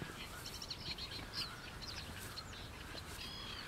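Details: Black-winged stilts at Mutěnice in the Czech Republic: a busy run of brief, clipped, high calls from more than one bird over a constant low hum.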